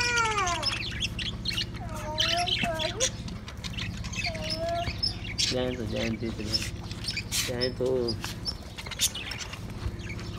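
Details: Budgerigars sing while eating, chattering in a rambling warble of chirps, slurred whistles and scratchy buzzes over a steady low hum.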